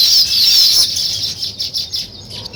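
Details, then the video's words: Weaver birds busy with nest building: an intense, shrill chattering chorus at first, which thins into scattered, softer chirps. "Natural Sparrow Chirping Sounds | Weaver Birds Building Nest"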